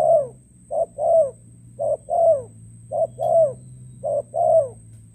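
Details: Spotted dove from Cà Mau, Vietnam, kept as a decoy bird for trapping, recorded 21 February 2024. It gives clear, mellow coos in short-long pairs, the second note falling, repeated about once a second, over a low steady hum.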